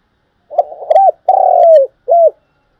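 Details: Calling coo of a decoy spotted dove used for luring and trapping: one complete low phrase with grainy introductory notes, a hooked coo, a long level-then-dropping note and a brief closing coo.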